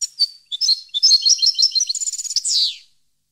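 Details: European goldfinch song from 2015: a lively phrase of bright, tinkling twitters that speeds into a fast rattling trill and ends in a buzzy, descending slur.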